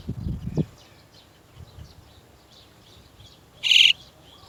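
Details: Chestnut-tailed starling parents coming to lead chicks out of the nest; after low thumping sounds, one sudden harsh, buzzy, scraping note rings out near the end above faint background chirps.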